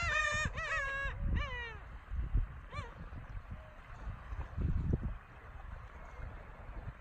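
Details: On 5 March 2019 at Masuhogaura sandy beach near Togi fishing port, Noto Peninsula, a gull gives a quick burst of harsh, nasal, downslurred calls, then a couple more after a pause, over low wind and surf.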